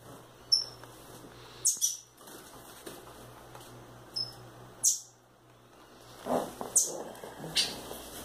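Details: Rufous-bellied thrush chicks free in a house utter brief, piercing high squeaks and thin whistled notes at irregular intervals, some paired, with faint low hum and light rustling.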